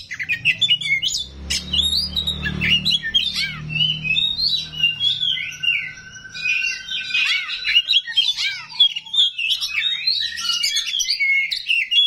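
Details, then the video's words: Oriental magpie-robin of the small 'rawit' type pouring out rough mimicked fills meant to make other magpie-robins answer: dense, fast run of sharp whistles, chirps and buzzy rasps, with a low thumping rumble under the first five seconds. "KACER RAWIT BONGKAR ISIAN KASAR, BIKIN KACER LAIN PASTI NYAUT"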